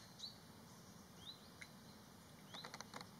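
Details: A Common Kingfisher in the Olza Valley, Poland, gives thin, high, sharply rising whistles, three spaced about a second apart, then a few clicks, over a steady high whine and low rumble.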